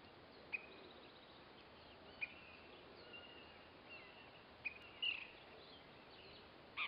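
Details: At a nest box where it comes to feed its young, an Ash-throated flycatcher gives sharp, clipped high notes at irregular intervals of one to two seconds, with faint thin whistles between over a steady background hiss.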